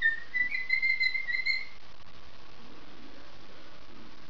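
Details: A cockatoo, a little shy before the camera, rehearses its own song: a short run of clear, warbling whistles for about a second and a half, then silence over a quiet indoor hiss.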